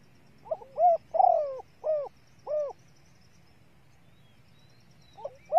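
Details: Female spotted dove calling to stimulate and excite males, used as a lure for training cage birds: a phrase of four soft, hollow, bent coos, the second longer and husky, then a brief coo starts again at the end.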